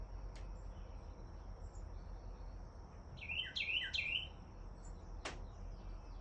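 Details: American robin nestlings being fed by their parents burst into about a second of high, squeaky begging chirps over a steady high insect whine, low rumble and a couple of clicks, in Kingsport, Tennessee.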